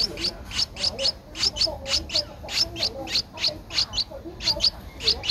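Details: Streak-eared Bulbul chick, 12 days old, in Ubon Ratchathani, Thailand, on 14 April 2023: short, high, sharply rising chirps repeated rapidly, about three per second, some doubled, over soft low background noise.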